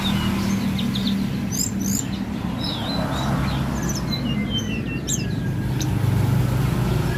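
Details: Mountain prinia in full, lively song: scattered bursts of sharp, high chirps and brief whistled slurs, some quick doubled notes, heard over heavy low droning background noise throughout.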